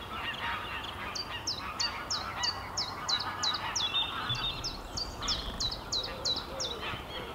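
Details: Common chiffchaff spring song in Denmark in late March: a steady, rhythmic run of high, sharp "chiff-chaff" notes, about three a second, seesawing in pitch, with a busy chorus of other birds, possibly geese, behind.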